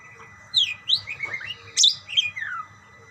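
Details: Budgerigars calling back and forth with bright, sliding whistled chirps, some rising and some falling, broken by a harsher squawk, with short pauses between them.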